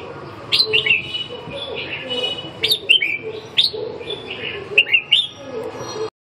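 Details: Probing calls of a Red-whiskered bulbul testing a rival: bursts of quick liquid chirps and upslurred whistles in groups of two or three, with steady background noise.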